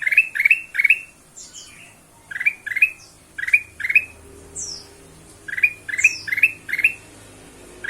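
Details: Ruby-throated bulbul used as a lure to make other birds sing: short, rising, slurred notes in quick clusters of two to four, repeated after brief pauses, with occasional higher, thin, descending whistles between phrases.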